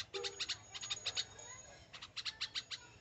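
A young bulbul gives rapid, high, harsh chirps in pulsing bursts of three to five notes, about four per second, begging insistently; a faint low hum runs underneath.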